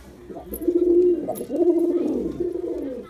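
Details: Male Girabaj pigeon cooing during a performance: steady, low, resonant hums in three sustained phrases, the first loudest, with a faint breathy edge.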